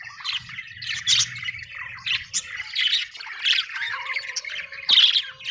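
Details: Cheerful budgerigar chatter: raspy squawks mixed with fast twittering warbles in short repeated bursts, a sharp click near the end, soft low hum in the background.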